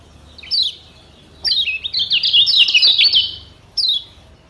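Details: Caged yellow white-eye from Lombok, local name kecial kuning, singing for a training recording: a single falling whistle, then a sustained two-second run of quick high twittering notes, ending with one more slurred whistle.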